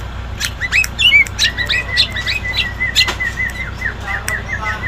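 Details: Sooty-headed bulbul, a six-year-old bird, singing loudly: a quick run of bright chirped and whistled notes with short rising and falling slurs, repeated rapidly over steady low background hum.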